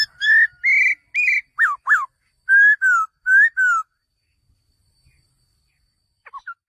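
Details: Male laughingthrush: about nine clear whistled notes, some level, some sharply falling, given over four seconds, then near silence with a few faint notes at the end.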